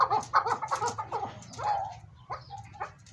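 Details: Chukar partridges, a big-sized breeding pair kept in captivity, calling in a series of rapid harsh clucking notes around the same pitch, bunched in quick bursts then fading to scattered softer notes, with low background hum.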